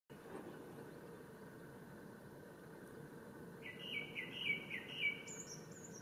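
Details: A male Japanese thrush singing at Ōhora spring, Lake Yamanaka, Japan, on 3 May 2017, gives a short run of clear, varied whistled phrases ending in a few thin, high notes, over a steady background hiss.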